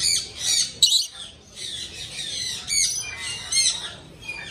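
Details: Harsh, high screeching squawks from a pet parrot described as talking, delivered in three or four long rasping bursts separated by brief pauses.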